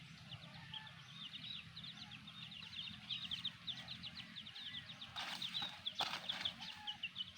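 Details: Chicks with their black hen: rapid, high, thin peeps, short down-slurred notes tumbling over one another almost without pause, with two brief broadband rustling bursts toward the end.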